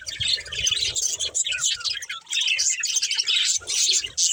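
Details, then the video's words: A family of budgerigars, described as playing, chirping together: dense, overlapping high warbles and chatter that run almost without a break, with small soft thumps underneath. "Cute Budgies Chirping Sounds"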